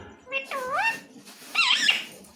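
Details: Talking pet parrot that repeats "Radhe Radhe" and "Mithu Mithu" and sings devotional bhajans; two nasal, wavering voice-like phrases that rise and fall in pitch, the second louder and harsher, over faint room noise.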